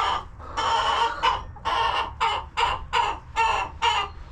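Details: Homestead chickens in their coop. One long grating squawk opens the series, then shorter harsh bursts follow roughly every half second, loud and strained.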